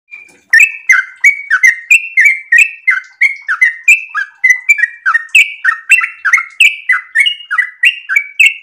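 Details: Sooty-headed bulbul in breeding condition giving a very long, rapid 'ropel' song, used as a lure and tutor song: short bubbly, downslurred notes repeated about three to four times a second without pause.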